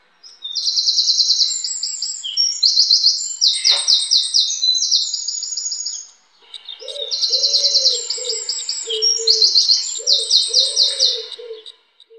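A wren sings two loud, high outbursts of rapid trills and chattering notes, each about six seconds long. Soft, low hooting notes sound faintly beneath the second phrase.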